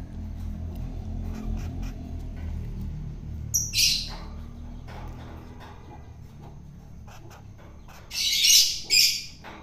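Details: Long-tailed shrike from the wild, being hand-fed so it grows tame, gives a short rasping squawk, then several seconds later a louder double burst of harsh, grating calls, with faint tapping between.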